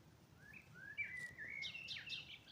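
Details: A bird sings at dawn in spring: rising whistled slurs lead into a long steady whistle, then a tumble of quick high chirps.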